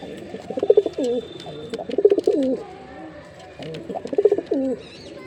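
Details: Performing male jeera pigeon repeating rich low coos, three rolling bubbly bouts with a dropping tail, separated by short pauses of near quiet.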